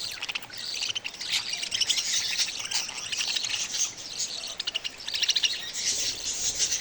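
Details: Budgie babies give steady scratchy chirping and squawky chatter, high-pitched and overlapping, with short rapid chirp runs throughout.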